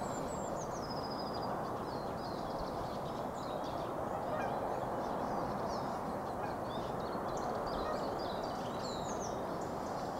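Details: A large gathering of swans on spring migration gives a dense, continuous chorus of overlapping honking, bugling calls, with a steady rushing noise underneath.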